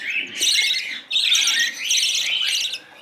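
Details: Young budgerigar fed formula from a bent spoon begs loudly: two or three long, grating, high squawk bursts with a short pause between, harsh and rasping.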